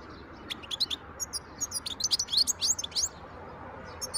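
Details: European goldfinch, a wild bird recorded in 2023, delivering a quick, jumbled twitter of bright, high chirps and tinkling trills, roughly three notes per second, against a faint steady hiss.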